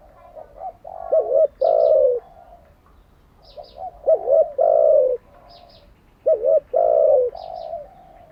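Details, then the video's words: Cooing of a decoy spotted dove used in bird training, each phrase a soft lead-in, a quick dipping note and a long descending coo, three phrases spaced about every three seconds, with thin high chirps. "Tiếng chim cu gáy mới nhất, dùng luyện chim gáy bổi và mồi hàng ngày"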